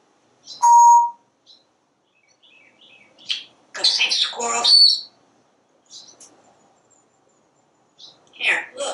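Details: Parrot on a screened porch watching squirrels and birds. It gives a pure, steady whistle, then a loud, rough burst of speech-like talk, quiet chirps, and another short spoken phrase.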